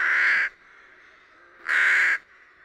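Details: Rook in spring in Lithuania giving two loud, harsh, drawn-out caws about half a second each, spaced roughly 1.2 seconds apart, with faint rook chatter between them.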